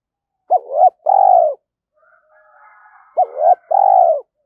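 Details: Spotted dove decoy cooing, a lure used to train young captive doves to coo: two phrases, each a quick double-looped note followed by one long, steady, hollow coo, about 2.7 seconds apart, with a faint murmur between.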